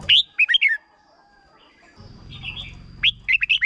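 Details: Red-whiskered bulbul in Thailand delivering a short doubled-style phrase meant for young birds to learn: a loud warbled opening, a quiet gap with low rumble, then another run of rising and falling whistles.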